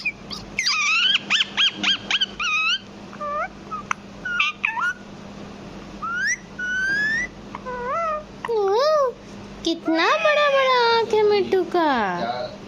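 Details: Pet parrot mimicking sounds: a run of clear whistled and voice-like notes, many rising or bending, in short bursts. It ends with a long, harmonic, falling call, over a steady low hum.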